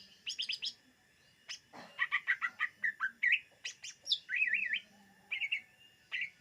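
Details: Luring recording of a greater green leafbird: quick clicky chirps at first, then a fast string of whistled notes and wavering warbles, ending in spaced bright chirps.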